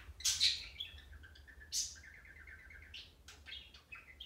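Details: Pet budgerigar chattering at a companion indoors: two loud, sharp chirps open a soft, rolling warble of short buzzy notes, then scattered clicks and brief squeaks over a faint low hum.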